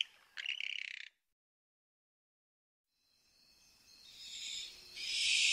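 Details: Barn owl giving a short, rough screech, then silence, then a hissing sound that swells in loudness toward the end.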